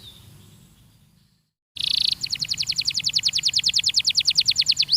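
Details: After a short silence, a Belgian canary in a training recording bursts into a buzzy note and then a steady, rapid trill of bright repeated notes.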